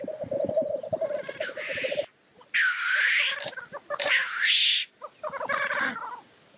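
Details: Black grouse lekking. A burst of low bubbling gives way to a run of loud hoarse hissing sneezes and rasping notes, with short pauses between them.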